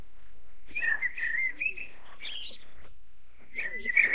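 Chinese blackbird singing two phrases of high, squeaky warbling with rapid chattering notes, the second phrase after a short pause, over a low background rumble.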